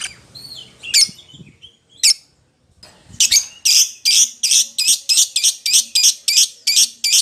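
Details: Lovebird calling out to a companion, a lure call: two or three isolated harsh squawks with pauses, then a rapid, regular series of loud, shrill chirps repeated about twice per second until the end.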